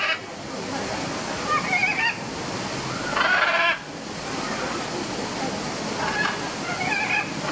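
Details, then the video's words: A family of macaws give a few harsh, raucous squawks, the loudest a grating burst midway, over steady rushing background noise like falling water. "The Family Macaws Sing a Song"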